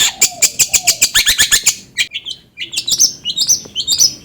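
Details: Long-tailed shrike song played as a lure to stimulate another bird into singing: a rapid run of sharp, high chipping notes, then a pause and scattered bright whistled slurs, with a faint low whistle early on.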